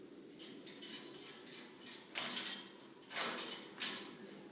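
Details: A cockatoo, described as not happy, makes dry, broadband clacks and rattling bursts, irregular and uneven like typewriter keys, with brief pauses between flurries.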